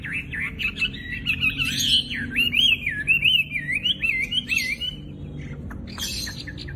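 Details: Loud, actively singing Chinese hwamei, a cage bird that copies other birds' songs, delivering a long wavering whistle that loops up and down in quick wavy turns before ending, with a few sharp clicks at the close.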